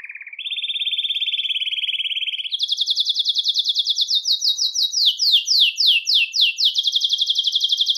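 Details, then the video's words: Belgian canary singing to stimulate males and bring females into breeding condition: a low buzzy trill stepping up to a steady mid trill, then a high rapid trill breaking into loud down-swept notes and back to trilling. "Canto Para Esquentar Canário Belga e Foguear as Fêmeas"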